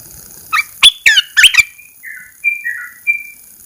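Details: Red-eyed bulbul song after fourteen days of cage-cover therapy, heard as the cage cover is first opened: a quick burst of sharp chirps and slurred notes, then soft whistled phrases fading into short descending warbles.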